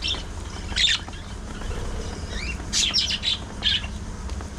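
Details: Several pet budgerigars, or parakeets, chatting and squabbling among playful fights and grooming: scattered squawky chirps and short buzzy bursts, some rising, under a steady low hum.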